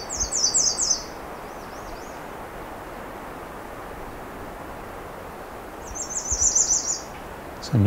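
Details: Female American redstart singing near Pine Tree Point, Ontario: a short high thin series of rapid repeated notes, given twice about five seconds apart, without an up or down ending; a man's voice starts at the end.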